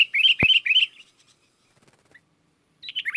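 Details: Sooty-headed bulbul singing gacor to draw wild bulbuls, which answer; a quick series of three bright chirped notes with a sharp click among them, a long quiet gap, then a short bubbly phrase.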